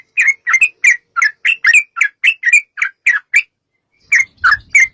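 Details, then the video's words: Sooty-headed bulbul song used as a lure to make bulbuls sing: a run of short, bubbly chirped notes about four per second, a brief pause, then three more notes with a soft low thump. "trucukan gacor TARUNG ROPEL PANJANG pancingan trucukan agar bunyi jadikan burung trucuk gacor NYAUT"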